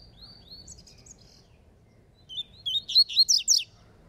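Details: Double-collared seedeater, a spirited singer in a falcone-style song contest: soft drawn-out whistles at first, then after a pause a loud rapid series of about seven rising, ringing notes.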